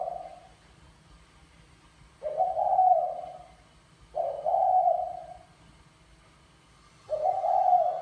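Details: Spotted dove, a mã phấn male, courting a hen with bài lối style calling: three even, husky coo phrases about two seconds apart, each roughly a second long, over a quiet background.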